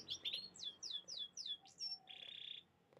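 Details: Canaries singing: several clear, high, descending whistled notes repeated about every half second, a short steady whistle, then a level buzzy trill lasting about half a second.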